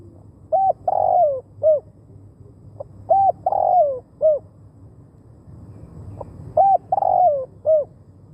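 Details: Spotted dove cooing to attract wild doves; three phrases, each a brief note, a full falling coo and a short hooked closing note, spaced about three seconds apart against low hum.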